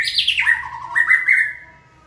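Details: Shama under song training pours out fluid whistles: a quick high descending flourish, then sustained mid-pitched notes that rise slightly and fade out.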